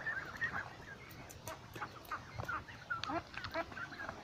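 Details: A flock of ducks beside a lake, giving a busy overlapping chatter of short nasal calls and clucking notes, several birds calling at once with no clear rhythm, over low background rumble.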